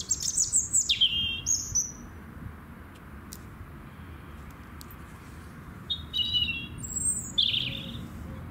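A robin sings high, thin, sweetly warbled phrases in short bursts, with a pause of several seconds between them. A low background rumble runs underneath.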